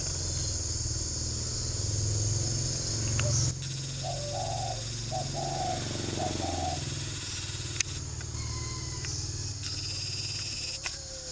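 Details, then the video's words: Caged spotted dove kept as a decoy bird at a dove farm in Ba Vì, Hanoi, Vietnam: a short run of three low, soft cooing notes midway through, partly masked by a steady motorcycle engine drone and insect hiss. "chim cu mồi thổ quá lũa"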